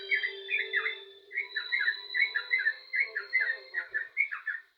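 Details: Lively, full-voiced yellow-vented bulbul song: clusters of quick, bubbly, slightly descending whistled notes in an even run, with a faint low hum in the background.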